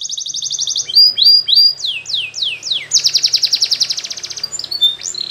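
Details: Canary singing for training, a fast high-pitched song of rapid trills, then a series of sweeping down-slurred whistles, then a long buzzy rattle of rapid repeated notes, with short chirps at the close.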